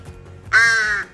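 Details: A young wild crow, rescued after being bitten in a crow fight and now kept indoors with dogs, gives one harsh, nasal caw, about half a second long and dropping slightly at the end, over a faint low indoor hum.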